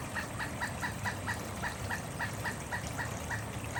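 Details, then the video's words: A pileated woodpecker calling before visiting a bird feeder: an even series of hollow, clipped notes repeated about four times a second throughout, moderately faint under a steady hiss of background noise. "Pileated Woodpecker. His call warned the neighborhood that he intended to visit our bird feeder."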